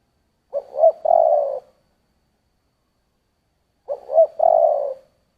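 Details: Spotted dove giving two giọng thổ coo phrases about three seconds apart: short rising double note, then a sustained throaty coo, over a quiet, clean background.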